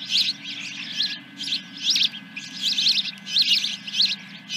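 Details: Osprey nest, morning of July 10, 2021, during a fish delivery: a rhythmic run of high, wavering squeaky notes, about two per second, steady and insistent.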